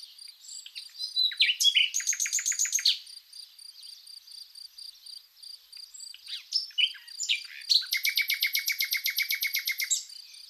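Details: A Common Nightingale sings varied phrases, including two loud bursts of rapid, throbbing repeated notes, over a steady, high-pitched cricket trill, in spring in Zagorochoria, Epirus, Greece.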